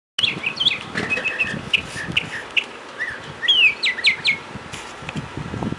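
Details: Mockingbird singing outside a door on March 31, 2010: a varied medley of clear whistles, chips and quick slurred notes, shifting phrase to phrase, with a bright downslurred whistle near the end and light background noise.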